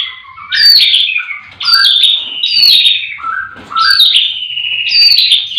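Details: White-rumped shama singing in a breeding aviary in the morning, with many birds singing: loud, clear whistled phrases, each about a second long, sliding and rising, then breaking into rapid trills. The phrases come in bursts with short pauses between them.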